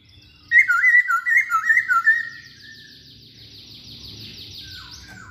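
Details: Masked laughingthrush song played as a lure to get other songbirds singing: a loud run of rapid wavering whistled notes for about two seconds, then a faint high trill over low background hum.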